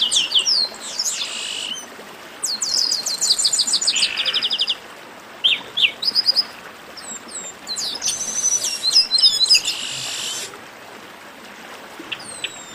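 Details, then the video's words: Chestnut-capped blackbird chatter, used as a warm-up recording for birds, from northeastern Brazil: bursts of sharp, high chirps and buzzy trills in quick phrases, pausing briefly between outbursts over a soft background hiss. "Baderna de Garibaldi"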